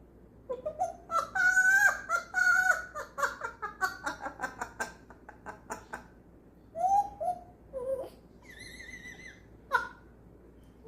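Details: Pet African grey parrot indoors imitating a laugh it picked up, a habit it keeps up for hours: rapid bursts of harmonic, chuckling pulses stacked into a fast laughing run, then scattered whistled and nasal notes after a pause.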